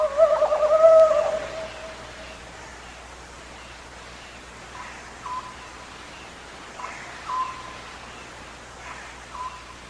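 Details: Oriental Scops Owl giving soft, mid-pitched 'sojjeok' hooting notes in the background, spaced a second or two apart, behind a louder, lower wavering sound at the start, in a night owl recording.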